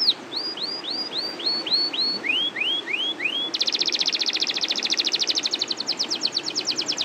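A canary sings a series of about a dozen rising, swept whistles, then breaks into a fast, buzzy roll of rapid repeated notes.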